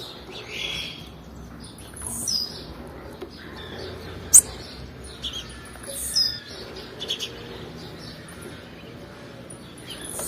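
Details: Female blue-black grassquit call, used to stimulate males: a few brief, very high, sharp chirps scattered through the clip, one strongest near the middle, over steady background hiss.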